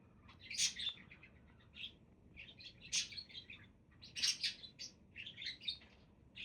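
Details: Budgies chattering: bursts of high, scratchy chirps and short warbles come in clusters about every second and a half, with quieter twittering between.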